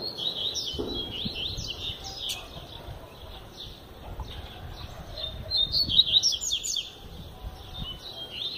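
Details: Double-collared seedeater, described as singing all year round, delivering a long run of fast, high, sweet twittering notes with quick slurred trills, swelling louder near the end, with faint low background rumble.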